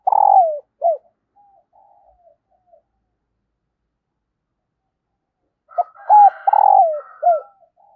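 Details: A female spotted dove's call, meant to get idle males cooing. A long buzzy falling coo and short end note are followed by quiet, then a fresh four-part phrase with a fainter higher voice overlapping.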